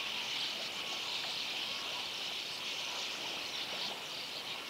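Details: A busy sand martin nesting colony, with residents gathering and flying about all at once: a steady, dense wash of dry, scratchy twittering from many birds, high-pitched and unbroken throughout.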